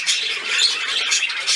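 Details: Budgerigars at play, recorded on 13 December 2019: a short burst of dense, scratchy high chatter and squawks, with no pauses.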